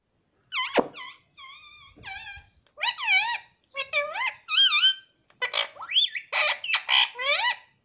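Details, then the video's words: Pet green parrot, possibly a ringneck, talking "mummy" in squeaky, nasal bursts of mimicked speech: about a dozen short syllables with wavering, rising and falling tones over eight seconds. "मम्मी - पापा बोलने वाला तोता"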